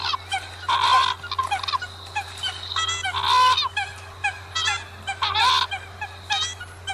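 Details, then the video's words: Common coot calls: loud, nasal, honking notes in bursts, several with a squealing upward inflection, about one burst every two seconds, with more calls overlapping between them over a constant low hum. "Tiếng sâm cầm"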